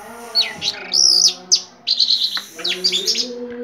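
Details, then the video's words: Caged orange-headed thrush singing vigorously in the drooping 'teler' style: fast bursts of high, sharp whistles and slurred chirps, some bright rising notes, over a steady low hum. "Anis merah gacor teler"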